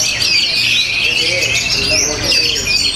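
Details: Singing orange-headed thrush from Tabanan, Bali, praised for rhythm and power, pours out clear looping whistles and buzzy twitters in a steady unbroken run over low background rumble.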